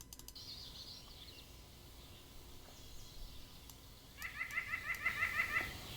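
A White-breasted Nuthatch gives a quick run of about eight nasal, laughing 'yank' notes, evenly spaced, after a quiet start with faint background hiss.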